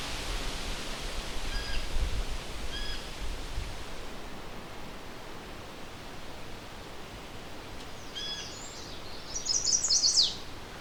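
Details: Late May on the Huron Fringe, Lake Huron's eastern shore, Ontario, in a wet swamp of low cedar and black spruce: a Chestnut-sided Warbler gives an abbreviated, fast 'please-please-pleased-to-meetcha' of high sweet notes over steady outdoor hiss; it may be migrating or on territory.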